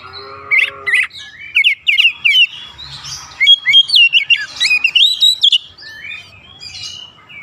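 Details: Oriental magpie-robin song serving as an excitement lure: a string of sharp, rising whistles and chattery notes building into a rapid, loud sequence of sliding phrases, then trailing off into soft warbles.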